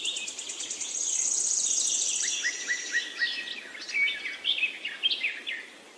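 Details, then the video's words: Birds chirping in a jungle forest on a hill: a long high sizzling trill, followed by a lively string of sharp rising and falling chirps from several birds. "Birds Chirping sound in the Forest, Jungle,Pahar"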